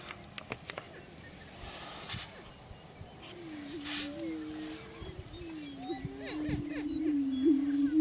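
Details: Greater prairie-chickens displaying for breeding territory on a lek in Washington County, Kansas, give low, hollow, moaning booms that overlap and swell toward the end. Sharp clicks come early, with faint high chirps from other birds.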